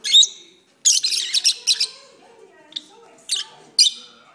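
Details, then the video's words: Pet lovebirds singing indoors, perched on an arm: a few short bursts of harsh, high chirping and squeaks separated by pauses, with faint low murmuring in between. "my Lovebirds are singing"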